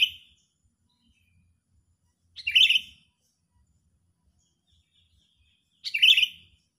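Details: Sooty-headed bulbul, excited and angry-sounding, serving as a trapping lure; two short loud bubbly whistled bursts about three and a half seconds apart, with silence between.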